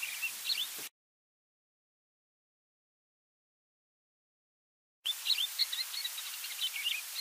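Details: A Yellow-bellied eremomela mimicking other species: a brief burst of high chirps, then about four seconds of silence, then a rapid, varied sequence of sharp twittering notes and short whistles.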